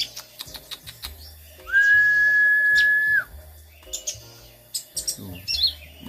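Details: A wild konim bird perched near a pond sings at midday, calling continuously with a long, steady, pure whistle among short chirps while a person talks.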